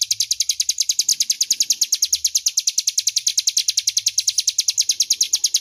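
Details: Ngebren song of a crescent-chested warbler, used as loud, clear master audio for magpie-robins: unbroken rapid stream of piercing high ticks, evenly spaced and slightly buzzy, running throughout with faint low background hum.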